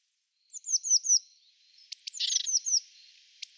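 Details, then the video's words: European robin in courtship giving a few thin descending whistled notes, then a soft buzzy burst with more high slurred notes and sharp clicks. "roodborst hofmakerij"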